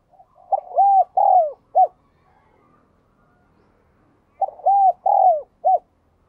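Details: Spotted dove recording meant to get captive doves cooing: two identical phrases about three and a half seconds apart. Each has a short lead note, two looping coos and a clipped final note.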